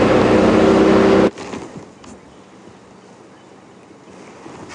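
A loud vehicle engine rumble stops abruptly, leaving quiet outdoor background hiss with no animal calls.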